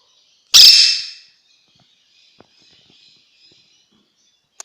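A young monk parakeet gives one harsh, raspy screech lasting under a second, then fades out. Only a few faint clicks follow in an otherwise quiet room.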